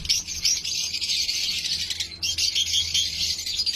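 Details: Crowded lovebird colony at a pair-breeding farm, giving an unbroken high-pitched chattering of countless overlapping squeaks over a low steady mechanical hum.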